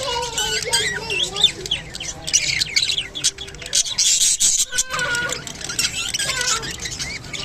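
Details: Budgerigar from Japan during mating, giving a dense run of fast, high chirps and scratchy warbling notes that overlap almost without pause, with a few lower wavering whistles early on and brief gaps near the middle.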